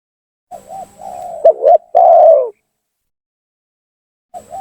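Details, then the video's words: Spotted dove lure call, energetic and used in bird trapping to provoke rival doves into coming down: a soft wavering coo, then a louder two-note kuk phrase and a long falling coo, with another phrase starting at the end; a faint steady high tone runs alongside. "suara pancingan gacor tekukur memaksa menurunkan lawan,bikin emosi lawan"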